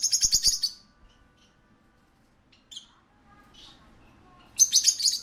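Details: High, scratchy chirps from a parakeet at a pet shop open in a fast chattering run, give way to near silence with a few soft notes, then return as another rapid burst.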